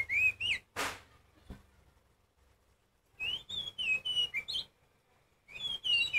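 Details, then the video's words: Kacer poci, an Oriental magpie-robin, sings loudly to stir other birds into song. Clear whistled notes come in quick bursts, one sharp click is heard, a long quiet gap follows, and then more fluting phrases. "Kacer Poci Nyusun Lagu ‼️Kacer Poci Diam Pun Auto Nyamber Bunyi Kencang"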